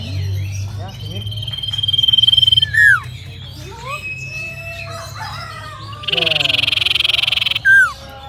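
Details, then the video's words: Common iora singing at length: a long steady high whistle, then a loud sharp downslurred note, repeated after a pulsing buzzy trill, with people talking in the background throughout. "BURUNG SIRTU CIPOW GACOR DURASI PANJANG"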